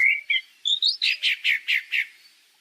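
A Pale-breasted Thrush sings a clear phrase: a few high whistled notes stepping upward, then five quick slurred notes repeated about five times a second. No other sounds.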